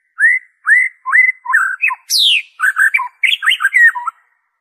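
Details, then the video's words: Song of a white-rumped shama, played to coax caged birds into singing: a series of rich rising whistles, then a sharp descending sweep and a fast jumble of varied whistled notes. "PANCINGAN SUARA MURAI BATU ORIGINAL TANPA ISIAN"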